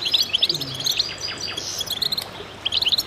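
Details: Chorus of goldfinches singing together, used to stimulate birds: bright, high tinkling twitters and quick chirps tumbling over one another in rapid bursts, with a dense overlapping jumble of thin notes throughout.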